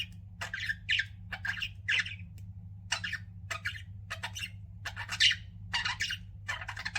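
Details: Pet budgerigars chirping indoors: short harsh squawky chirps in quick bursts with brief pauses, a steady low hum beneath.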